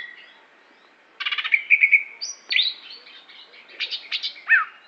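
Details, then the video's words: Aceh greater green leafbird kept for song contests delivers a burst of rapid buzzy trills after a quiet second, then a long high whistle and scattered chattering notes and a final falling slur. "Cucak Hijo Aceh Prestasi"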